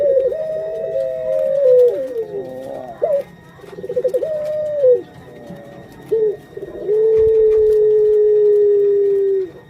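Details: Female puter pelung dove nearing egg-laying: a run of loud coos with stepped, wavering pitch, then one very long, steady, slightly descending coo lasting about three seconds.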